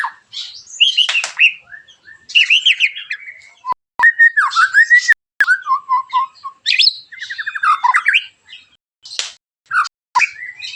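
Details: Loud 'tembakan tajam kasar' song from a white-rumped shama, meant to spur other shamas to sing; rich mixture of sliding whistles, rapid trills and harsh buzzy notes, with a few sharp clicks.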